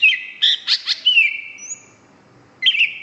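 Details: Greater green leafbird singing gacor: a quick cluster of bright chirps and a long falling whistle, a brief pause, then another burst of sharp notes.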